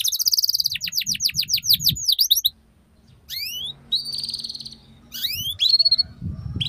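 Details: Domestic canary song used as tutor material so young canaries learn the ngeriwik sound: bright high-pitched runs of rapid downward-sweeping notes, buzzy sustained trills, and fast chattering phrases separated by short pauses.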